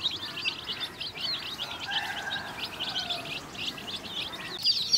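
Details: Soft, steady high cheeping from colored chicks as they feed alongside hens, many thin repeated notes with a faint lower murmur in the middle.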